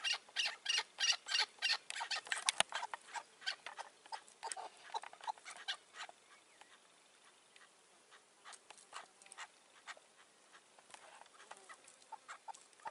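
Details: Chukar partridge calling in May 2024 at a rooftop decoy hunt for wild, mature partridges: a loud burst of rapid, evenly spaced chucking notes that breaks into scattered softer clucks and then fades to sparse faint notes.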